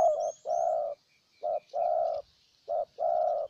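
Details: Spotted dove from Ninh Thuan, a decoy bird cooing to lure a wild dove: low hollow coos in short phrases, a brief note then a longer rolling coo, repeated about every 1.2 seconds, with faint high chirps from other birds.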